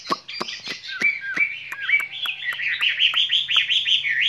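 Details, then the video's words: Caged skylark singing a spring love song: sharp clicking notes give way to a run of rising and falling warbled phrases, growing steadily louder and faster, with a low steady hum underneath. "Chim quý ở lồng son ca bản tình ca mùa xuân"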